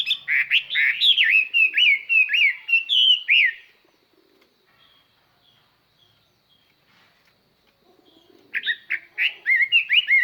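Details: Chinese hwamei kept as a decoy, singing to lure wild birds with a clear, far-carrying voice: fast runs of loud, slurred whistles for over three seconds, a long pause, then another rapid whistled phrase starting up.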